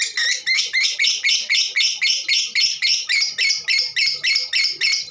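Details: Female lovebird calling as a lure to make other birds sing: harsh, raspy bursts repeated at a steady pace of nearly four per second, each note broad and grating.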